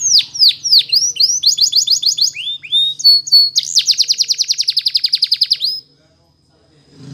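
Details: Canary training song: falling whistles, choppy trill bursts, then a long, even, rapid trill that ends suddenly, leaving near silence with a faint low rumble at the end.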